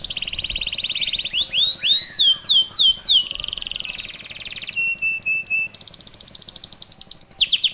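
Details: Singing canary, a master song for young canaries: a rapid buzzy trill, a few loud upswept whistles, a rolling mid-pitched trill, short tinkling notes, then a very high fast trill and a final lower rattle.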